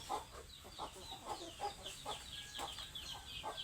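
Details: Hungry chickens give short mid-pitched clucks at an uneven beat, about one every half second, while thin high chirps and peeps flicker above them throughout.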